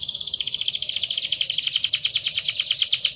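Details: Canary song as a rapid, loud, high-pitched rolling trill, many even notes per second sustained for about three seconds.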